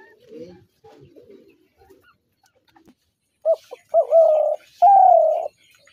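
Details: Spotted dove: after a few seconds of faint low rustling, two short clipped notes lead into two drawn-out steady coos, the last slightly rising at its start.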